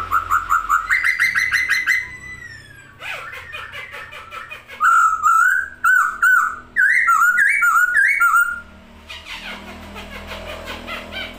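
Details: Vigorous song of a masked laughingthrush spreading its wings, with pulsing buzzy notes, then a series of loud ringing whistles that swoop up and down in quick pairs, ending in soft chatter over background hum.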